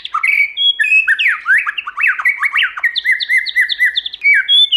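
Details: White-rumped shama singing in many voices to provoke rival birds: bright whistles, then a rapid series of descending slurred notes and short chirps repeated several per second, clear and loud.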